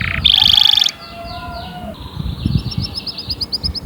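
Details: Canary song used as motivation for other birds. It begins with a loud harsh buzzy burst, then softer falling whistles, then a run of quick high chipping notes repeated several times per second.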